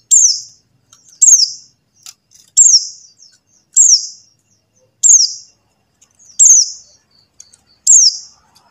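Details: High, thin, downward-slurred call notes of a buxtoni white-eye, repeated seven times at about one-and-a-quarter-second intervals against near silence, intended to stimulate silent white-eyes to sing.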